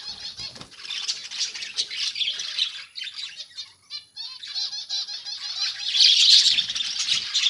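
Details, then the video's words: Budgerigars chatter together in a colony rather than cages. Many birds give a dense, scratchy, warbling stream of high chirps that dips briefly, then swells louder toward the end. "Budgies Parrots colony"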